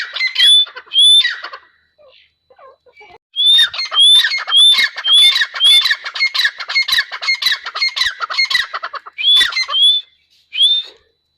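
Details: Grey francolin, locally called teetar, calling: loud harsh squawking notes mixed with whistled upslurred tones, delivered in bursts after a short pause, about two notes per second.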